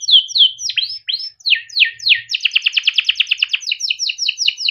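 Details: Canary song for tutoring young canaries: slurred sweeping whistles in a loose series, then a fast regular trill of sharp notes and a few final swoops.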